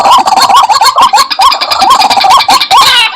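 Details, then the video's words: Lure call of a White-breasted waterhen, dense overlapping croaks with rising, nasal notes tumbling over each other in rapid succession and almost no pause between them. "Suara Pikat Ruak Ruak , pemanggil ruak ruak"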